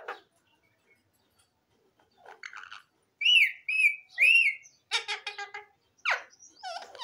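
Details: Parrots give two strong arching whistles in a row, followed by buzzy, harsh squawks and a falling screech.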